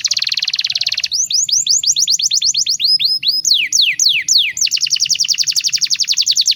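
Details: Canary master song used to train young birds: fast buzzy trill, then sweeping upward and downward whistled notes, returning to a rapid rattling trill.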